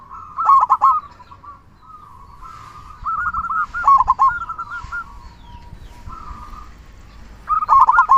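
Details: Active local zebra dove giving its big 'kung' voice as a lure for other doves: loud trilling coo bursts at the start, middle and end, linked by softer, wavering cooing phrases.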